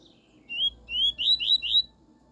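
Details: Double-collared seedeater singing the pure "tui tui" style song, used for tutoring a young bird: five loud, clear whistled notes, each slurring upward, the last three coming quickly one after another over a quiet background.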